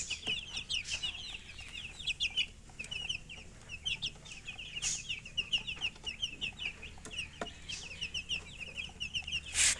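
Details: Several chicks give a continuous stream of high, thin peeps at a lower volume, with occasional knocks and a brief scratchy noise at the end.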